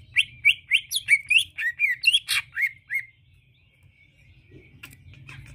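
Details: A Greater Green Leafbird gives a fast run of about a dozen bright, varied chirps and whistled notes over three seconds, then stops, used as a lure call to draw a response from other leafbirds; faint background hum.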